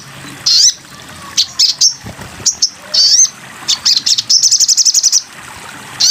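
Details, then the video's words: Crimson sunbird song used for training songbirds: a varied series of short, high, sweeping whistles and chirps, then a quick run of sharp ticks lasting under a second, ending on one more high note. "masteran burung sogon"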